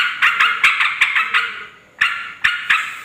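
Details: Noisy, excited Yellow-vented bulbul calling, used to lure wild females and males: harsh, scratchy chattering bursts in quick clusters of sharp notes, a pause near two seconds, then three more separate bursts.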